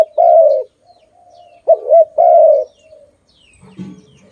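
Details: Pet dove calling very loudly: a long steady coo, then a short note with a quick wavering double pulse, followed by another drawn-out falling coo, with quiet pauses between.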